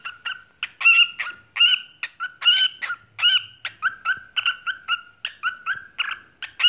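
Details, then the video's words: A white lutino parrot singing the "cookie cookie" song gives a rapid run of short, nasal, whistled notes, some rising and some falling, with brief pauses between phrases. "cookie cookie singing bird"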